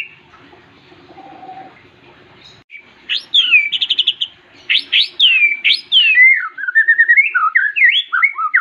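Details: A champion white-rumped shama sings a rich, varied run of loud whistles, sweeping slurs and rapid trilled notes, starting after a quiet, muffled opening.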